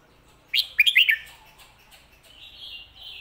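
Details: A red-whiskered bulbul gives a quick, popular 'pad kuay tiew' or 'mae bot' song phrase: a rising whistle, then several bouncy, looping notes, followed by a thin, sustained high warble.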